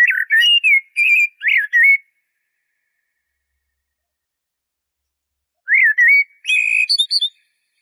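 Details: Eurasian blackbird song with a run of four rich, mellow warbled notes over two seconds. After a pause comes another fluty phrase closing in a high, scratchy twitter. The setting is quiet, with no background noise.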